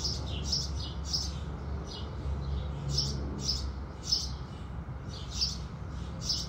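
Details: Sparrows of the house species chirp at sunrise in quick, uneven clusters of high notes, some overlapping, over a noticeably heavier low-pitched background hum.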